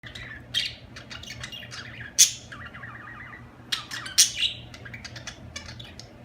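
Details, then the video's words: Budgerigars chirping: quick bursts of bright, buzzy chatter and short squeaks, with a brief rapid warbled trill in the middle, steady low hum underneath. "اجمل تغريد في العالم طيور الحب البادجي"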